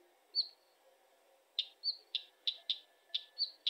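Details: Northern wheatear: short high whistles alternating with sharp, dry clicking tack notes, about six notes in quick succession after a single opening whistle, against a quiet background.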